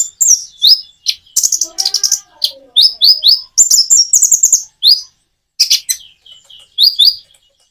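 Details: Common iora singing in phrases with natural gaps: bright, upward-sweeping chirps, quick trilled runs and dense rattling bursts, soft low murmuring notes early on, ending in spaced rising chirps.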